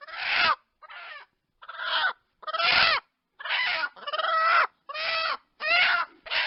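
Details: Chickens clucking in a string of drawn-out, harmonic squawks and cackles, each about half a second long, separated by short gaps, with no other sounds.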